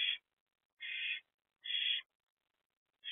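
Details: Barn owl perched with the two oldest owlets at a nest box at night, around 1 am on 7 April 2024, with the youngest inside; faint harsh hissing screeches, each about half a second, repeated with pauses.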